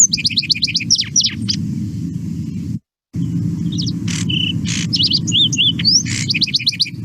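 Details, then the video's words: Lark sparrow song with inserted raspberry- or fart-like notes, each song a little different: rapid high chip series, buzzy broadband bursts, warbled slurs and trills, with a brief silent gap; low background rumble throughout. "Again, this particular bird is inserting those raspberry sounds,"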